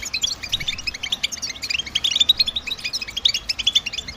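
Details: Motivating goldfinch twitter, the males' song to draw females: dense, fast, high chirps packed into an unbroken sparkling stream for about four seconds, with quick pulsing notes.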